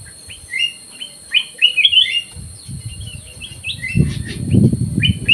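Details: In an aviary, a black-crested bulbul pours out bubbly whistled phrases early on while low rustling and knocking noises swell in the second half.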